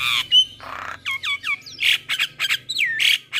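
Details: Loud squawks and downward-curving whistles from a male Javan myna in the morning, a full-fill tutor song, with a short harsh rasp and rapid bright chips between.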